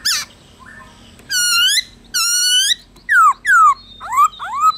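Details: Forest-voice song of a black-throated laughingthrush, used to spur other laughingthrushes to sing: drawn-out, rich whistles bending gently downward, then sharper falling and rising slurred notes, in a quiet setting.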